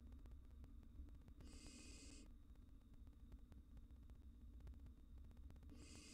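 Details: Barn owl nestlings, wild birds in a nest box, react to a cockroach intruder with a rasping hiss lasting under a second, then another begins at the end, against a constant low hum.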